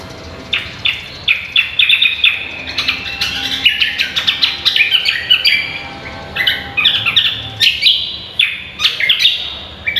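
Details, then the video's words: Cucak kombo, or green magpie, in full song on a training recording for songbird contests: rapid, high, bright whistled and chattering notes tumble over one another almost without pause, with a light background hiss. "BURUNG CUCAK KOMBO GACOR"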